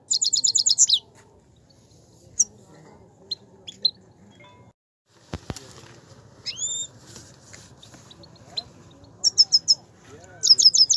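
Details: Himalayan goldfinch song: short bursts of rapid, high, tinkling twitter notes open and close the recording, with a few isolated chirps and a rising whistle between them over a quiet, faint rumbling background.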